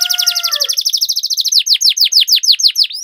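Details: A canary sings a rolling ngerol phrase used as training to make lazy canaries sing: rapid even chirps over a faint low whistle, then slower, louder downslurred notes and a rising final note.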